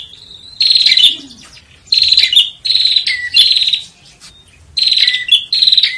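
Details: Loud, strident bar-winged prinia song, used to train competition songbirds: piercing high phrases in bursts of about a second, each dropping to a lower slurred note, separated by short pauses.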